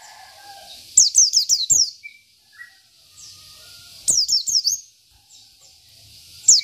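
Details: Local Oriental white-eye giving spirited song: short bursts of four or five thin, high, down-slurred whistles, separated by quiet gaps of about two seconds, with a faint lower chirp between.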